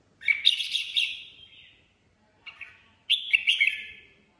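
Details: Red-whiskered Bulbul kept as a cage bird, singing improvised 'ché' song: a long, loud, warbling whistle phrase, a brief short note, then another rich, slurred phrase.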